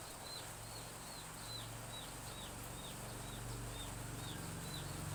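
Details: Chicks of domestic chicken peeping in a village behind a house on a morning of light drizzle, Indonesia: thin descending peeps repeated about two or three times a second over steady rain hiss and a low hum.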